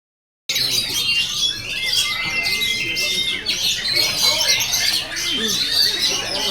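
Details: Oriental magpie-robin singing a dense, continuous run of high chirps, trills and whistled notes, with a long steady whistle near the two-second mark, over murmuring human voices in the background.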